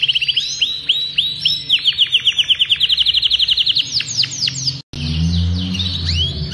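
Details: Adult male Belgian canary of the Agatha breed, intense yellow, singing heavily to stimulate the female for brooding and to train young. Rapid runs of bright, looping whistled notes, several per second, then a brief cut and low background rumble.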